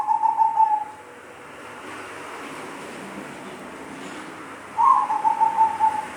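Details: Zebra dove giving a strange-sounding call: two rolling, pulsed coos of steady mid pitch, one at the start lasting nearly a second and another near five seconds, with a soft background hiss in between.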